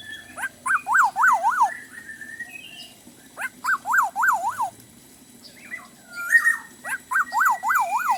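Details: Chatty black-naped oriole with lots of fill-in song: rapid rolling whistled phrases of three or four rising-and-falling notes, broken by short higher chirps, repeated three times.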